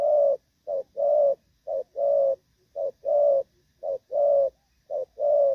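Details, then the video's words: Spotted dove of the Vietnamese Thổ Pha type, cooing while moulting, recorded 3 June 2024. Low, mellow coos come in pairs, a short note then a longer drawn-out one, repeated steadily about once a second with brief silent gaps. "chim đang lông nhưng dàn rước với nước gù cũng tốt"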